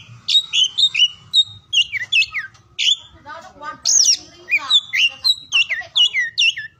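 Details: Kacer, the oriental magpie-robin, in full song, recorded for morning, noon and afternoon play: clear, sweet whistles alternate with sliding downward notes and a brief scratchy trill midway, then more bright rapid phrases.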